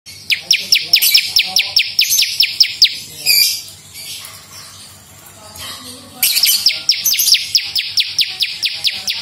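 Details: Bar-winged prinia (prenjak lumut) in lively 'gacor' song, a lure and tutor recording: rapid series of sharp, high downsweeping chips, about two per second, pausing midway with a brief scratchy note, then resuming.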